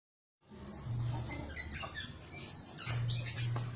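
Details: Small whistling thrush singing, with high thin whistled notes and short scratchy chirps after a brief silence, over a low steady hum.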